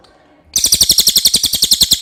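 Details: Clear common iora song: after a half-second lead-in, a fast run of high, buzzy repeated notes, roughly eight per second, steady in pitch and loudness.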